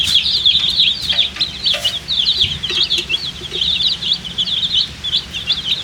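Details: Baby chickens dyed in colours calling from thirst for water: many overlapping high, sliding peeps with no pause, plus a few faint clicks and bumps behind.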